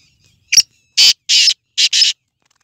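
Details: Black francolin of the Sindhi strain (Sindhi nasal tetar) calling: a short sharp note, a half-second pause, then four harsh, buzzy, rasping notes, the last two close together, the whole phrase lasting about one and a half seconds; no other sounds.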